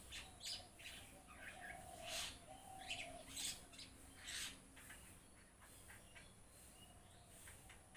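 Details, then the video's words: A myna flock calling loudly with rough, harsh squawks and bright chirps in uneven bursts, while a lower, softer repeated whistling note sounds faintly in the background. "এজাক শালিকা চৰাই Myna Birds"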